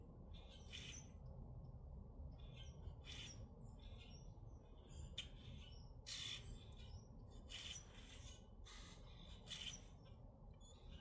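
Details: Grackles in Minnesota give harsh, squawking, broadband calls in quick irregular bursts, several birds overlapping, over a steady low rumble of wind or distant traffic.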